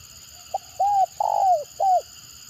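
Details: Spotted dove in the stuttering tekukur gagap style, reportedly provoking responses from other birds: a brief soft note, then three arched, mellow coos, the middle one longest and sliding downward.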